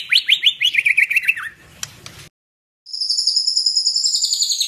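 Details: Fighting-style song of a white-rumped shama: a fast rattling series of buzzy trilled notes sliding downward, a brief pause, then a high, even, sustained trill.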